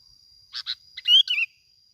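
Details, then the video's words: Lure recording of a bulbul from Bình Thuận in 'kít bổi' style: two short buzzy chirps, then a quick bright warbled phrase rising and falling, with a constant thin high tone behind. "tiếng chim bông lau kít bổi"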